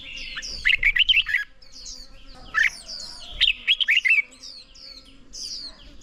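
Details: Red-whiskered bulbul song for training toward competition singing: two energetic phrases of five or six quick warbled notes separated by a single call, with soft chatter of other birds throughout.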